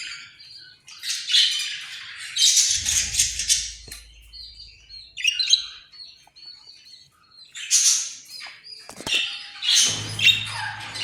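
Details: Australian parrot giving bursts of scratchy chirps and squawks separated by brief pauses, with some thin tonal notes between bouts and a low hum in places.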